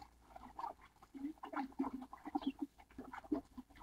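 Baikal teal giving deep, clucking notes, several a second, that overlap into a throaty chuckling chorus as from a flock.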